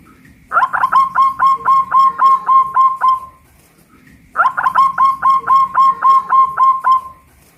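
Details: Local Pajajaran zebra dove from West Java, kept in a cage hoisted on a pole at Kuningan and singing loudly. There are two cooing phrases, each a rapid run of about ten evenly spaced, ringing notes, separated by a one-second pause.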